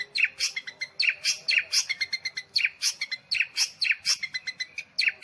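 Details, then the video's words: Long-tailed shrike performing nitik song, a dense chatter of high, sharp ticks and bright chirped notes, repeated rapidly in short rhythmic groups without pause. "Cendet pentet halilintar dooooor main nitik"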